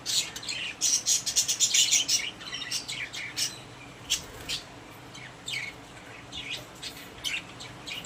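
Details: Pet budgerigars in a cage give a quick flurry of high twittering, then sparser single sharp chirps spaced out over a quieter background.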